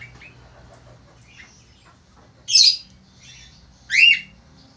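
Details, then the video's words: Vocal male Australian falk producing two loud harsh chirps about one and a half seconds apart, each a bright downward-sweeping squawk, with soft faint notes before them and a low hum in the background. "FALK AUSTRALIA JANTAN GACOR"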